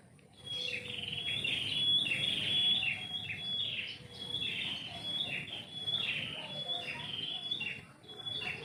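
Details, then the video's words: Songbird in a house-yard tree at morning, melodious and continuous: quick whistled phrases tumbling downward roughly every second, a sustained thin high note threading through, light low-pitched background noise. "kicau burung pagi ini"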